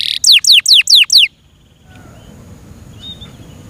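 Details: Yorkshire canary, a pet bird, giving a short phrase of five loud downslurred whistled notes, followed by quiet room noise.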